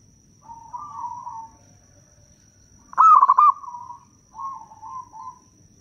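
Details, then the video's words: Local zebra dove singing, used as a lure to draw wild doves: a loud, rapid stuttering burst of low cooing notes mid-clip, framed by fainter drawn-out coos before and after, over a steady high whine and low background rumble. "Perkutut lokal gacor suara bagus - pancingan perkutut paling jitu"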